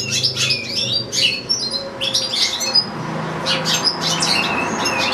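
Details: Indoor caged European goldfinch, kept with a second goldfinch and two goldfinch-canary hybrids, pouring out quick twittering bursts of high chirps and trills in close succession, over a low mechanical hum.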